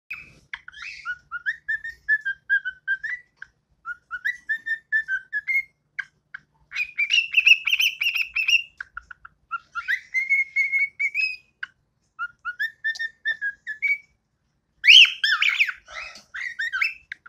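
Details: A baby cockatiel sings a run of clear whistled phrases, rising and warbling, with short pauses between.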